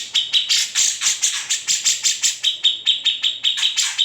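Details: Grey-cheeked bulbul (kamandanu) recorded without editing as master song for other birds; harsh, buzzy high notes blending into a rasping stretch, then clearer sharp chips repeated about every quarter second.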